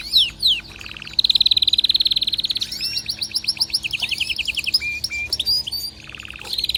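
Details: Varied excited canary song: quick high whistles, a long rapid rolling trill, a stretch of mixed slurred notes, then short flat whistled tones and a final trill.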